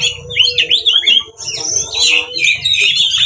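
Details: Oriental magpie-robin (kacer) with its 'ngeplong tarung' fighting song, a lure to provoke rival magpie-robins into song and tail-spreading; sharp, rising and falling whistled notes and scratchy chatter, with a low rumbling background and faint steady hum.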